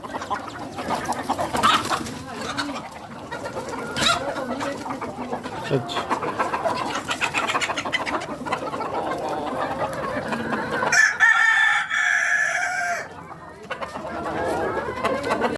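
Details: Among hens on a farm, constant clucking and chatter fill the air until a rooster lets out a strong, sustained crow of about two seconds near the end, then the flock noise resumes.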